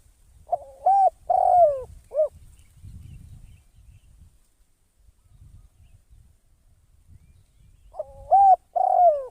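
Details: Decoy spotted dove used for trapping gives a cooing phrase, a pause of several seconds, then the phrase again. Each has a quick hooked note, a long sliding coo that drops at the end, and a short final coo. Faint low rumble between.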